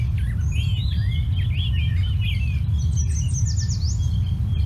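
Yellow Warbler song: a run of sweet, slurred chips, then a high, quick set of down-swept notes, over a steady low rumble of background noise.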